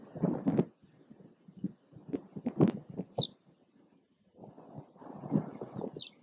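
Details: Citrine wagtail at Taglio di Po (RO) on 2 May 2021, uttering two high, shrill, descending calls about three seconds apart over bursts of low rustling and thumping noise.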